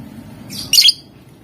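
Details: Lovebird in a recording meant to provoke rivals into answering, a single harsh, high squawking chirp burst lasting under half a second against a quiet low hum.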